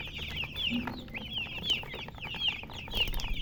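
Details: Chicks peeping in bright, high downslurred chirps, several birds calling in rapid overlapping bursts, with faint low background noise.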